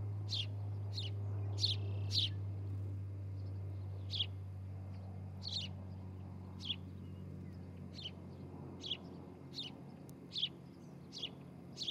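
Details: Osprey calling at its nest in Charlo, Montana, on a July morning in 2018, recorded by a nest cam: sharp, high chirps repeated at uneven intervals over a loud low rumble.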